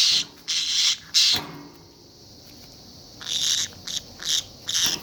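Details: Pet conure giving strange sounds: a few short raspy, hissing bursts, then a pause of about two seconds, then more quick scratchy bursts in a quiet room.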